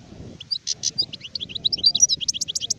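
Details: Adult European goldfinch (sharif) producing a quick sequence of short liquid chirps and twitters, accelerating into a steady run of bright repeated notes.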